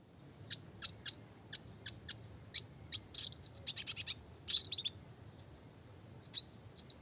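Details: Classic red siskin: single high chirps spaced roughly half a second apart, a brief rapid rattling run in the middle, then more spaced bright notes. The style is roll tembak, used as a clear training song for small birds.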